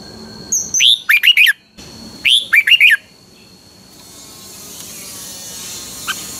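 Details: Red-whiskered bulbul in Thailand gives two quick bursts of bright, liquid whistled notes, each a rising lead note and three bubbly chirps, over faint background hiss.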